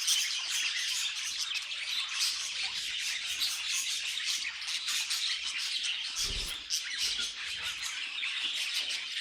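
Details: Budgies kept as pets chatter and sing nonstop, a crowded jumble of tinny chirps and rasping warbles. A single soft thud sounds partway through.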